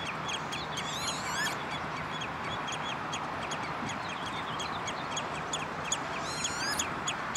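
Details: Common redshank (Tringa totanus) at the De Wollebrand water storage area, Naaldwijk, Westland, Netherlands, 11 June 2013, calling rapid high piping whistles, some rising, some falling, in quick overlapping bursts over a steady background rush.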